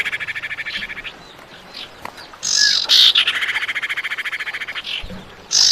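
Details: Female common iora calling the male: a quick pulsed trill, then a loud rasping burst dissolving into a rapid rattle of about twenty even pulses, followed by a fresh harsh burst at the end.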